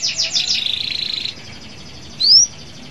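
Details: Local canary singing vigorously to stimulate other canaries to sing: a fast, buzzy high trill of rapid repeated notes for over a second, a quiet pause, then a single sharp rising whistle.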